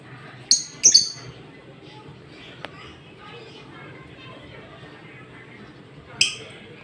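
A lovebird gives a few shrill, piercing chirps: a quick double burst near the start, then one more after a long pause, over a faint indoor hum.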